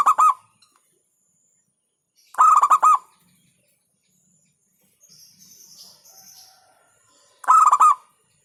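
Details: Local zebra dove cooing in clipped, rapid-fire phrases of four or five pulsed notes, spaced about five seconds apart, with soft high chirping between them.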